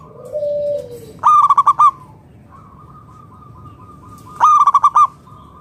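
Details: Local wild-type zebra dove (perkutut lokal) song meant to entice other doves to sing: a lower drawn coo, then two rapid bursts of about six clipped notes, with a distant dove trilling softly between them.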